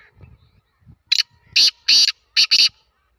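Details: Black francolin giving a harsh, rasping call of five loud grating bursts, the last two joined, after soft low murmuring sounds.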